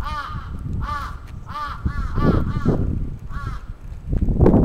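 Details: Crow attack in Atsubetsu Ward, Sapporo, Japan, June 2017: repeated hoarse caws in a loose series, with a burst of low rumbling noise at the end.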